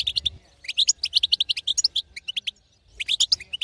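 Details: European goldfinch female twittering meant to excite a silent male; quick clear chirps in short runs, a gap around two and a half seconds, then another burst.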